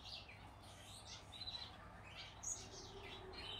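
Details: Yellow-backed Gouldian finch baby being hand-fed gives high, thin chirps that sweep downward, repeated about once a second, over a steady low hum.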